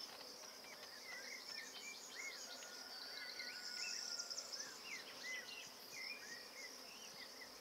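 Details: Eurasian golden oriole at its nest site in Bulgaria, June 2019, recorded from a hide with a camcorder: short slurred whistled notes, some rising, some falling, scattered through the clip over a loud, steady high insect buzz.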